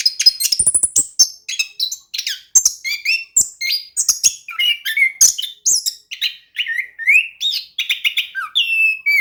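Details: Orange-headed thrush singing nonstop in rolling style, used as a lure for silent birds: a dense run of high, varied whistled phrases, sharp chirps and falling slurs, barely pausing over nine seconds.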